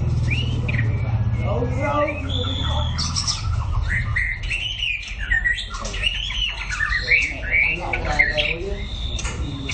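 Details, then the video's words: Practising white-rumped shama delivering varied whistled phrases, rapid upward and downward slurs and short chirps in quick succession, with a low rumbling hum beneath the opening seconds. "Chòe lửa hót luyện tập lực kéo lửa (shama bird)"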